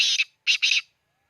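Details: Black francolin from Khushab giving rasping, scratchy notes: one long grating syllable with a hitch at its end, a brief gap, then a double harsh note, with silence afterward.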